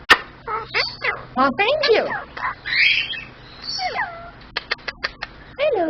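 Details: Talking superb parrot, a male pet, imitating human words like "what are you doing" and "pretty boy": a run of choppy, speech-like syllables mixed with sharp clicks and a short whistled swoop.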